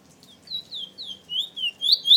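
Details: Caged Trinidad bullfinch, an all-black male that moulted pure black in August 2017, singing a series of clear high whistled notes that slide downward, repeated about every quarter second and growing louder toward the end.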